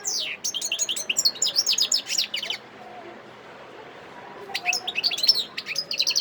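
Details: Wild European goldfinch in Sidi Bel Abbes, Algeria, 17 December 2021, sings a fast run of high tinkling twitters and trills for over two seconds, falls silent about two seconds, then resumes with rapid chirps and a buzzy trill.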